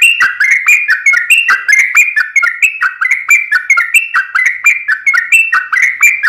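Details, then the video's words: Sooty-headed bulbul delivering a long rapid fighting-style song: dense, unbroken run of cheerful slurred whistles, rising and falling, packed closely together and loud throughout. "SUARA trucukan gacor TARUNG ROPEL PANJANG"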